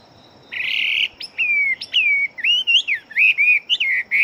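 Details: Chinese hwamei, a fighting bird, opens with a loud harsh buzzy note, then sings fast descending and looping whistles in quick irregular succession.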